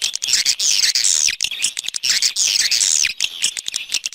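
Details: Swiftlet external sound recording: two long, buzzy, descending twittering bursts separated by a short pause, backed by scattered high clicks.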